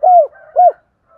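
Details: Spotted dove lure cooing, double-coo style for attracting doves: two drawn, mellow, slightly falling coo notes about half a second apart, then a faint trailing murmur.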